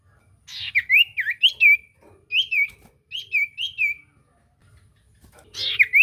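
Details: Iora song meant to make a silent bird answer: three separate bursts of looping, rising and falling whistles, with pauses between them.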